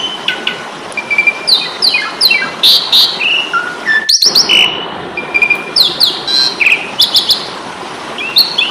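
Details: Indonesian master recording of a jalak suren, or Asian pied starling, in fighting song: rapid harsh chatters and rising squeaks alternating with clear whistles, a short break midway.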